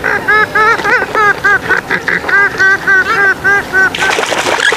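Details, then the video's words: Swamphen producing repeated arched, honking nasal calls, roughly four a second and evenly spaced, ending in a burst of harsher noisy squawking. "Swamphen,MooreHen Birds Call"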